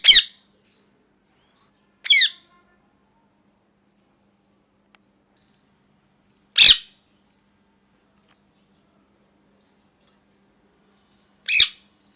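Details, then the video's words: Molting pet parrot repeating brief raspy squawks, four calls at irregular gaps of two to five seconds, each a quick harsh burst; otherwise quiet with a faint low hum. "Parrot Chirping Sounds | Natural Parrot Sounds | Parrot Calling Sounds"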